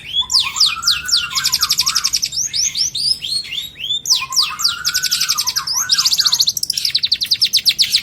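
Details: Long-tailed shrike performing a full, varied song recorded in 2022 as material for other birds: sweeping whistles with buzzy overtones alternating with long rapid trills, in two similar phrases.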